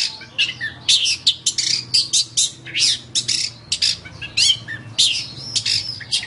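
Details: Long-tailed shrike in a training recording for other birds, giving harsh, scratchy squawking notes in irregular bursts, broad and noisy, with short whistles in between.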